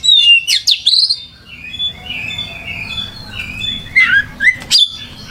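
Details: Singing oriental magpie-robin (kacer) in gacor mode: loud opening whistles and chirps, softer warbled notes in between, then a few sharp downslurred whistles.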